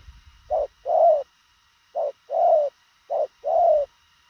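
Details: Spotted dove cooing quickly, a clipped style: three paired phrases, each a short low coo followed by a longer, fuller hollow note, spaced about a second apart, near-silent background.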